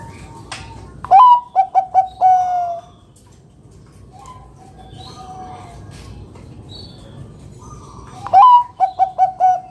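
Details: Loud Bangkok zebra dove singing to coax other doves into song. A phrase of a rising coo and clipped repeated notes ending in a long coo, faint soft notes, then the same phrase again about seven seconds later.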